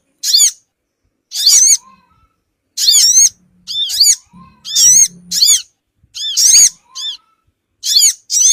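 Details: Sogon bird calls used as a lure for small wild birds: repeated high, buzzy chirping bursts with arched overtones, spaced irregularly about one to one and a half seconds apart, a faint low hum in the middle.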